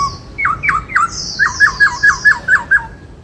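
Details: Black-throated laughingthrush singing 'bắt cô trói cột' style, a quick chain of about ten short hooked whistled notes, each dipping sharply, delivered at an even, rapid pace.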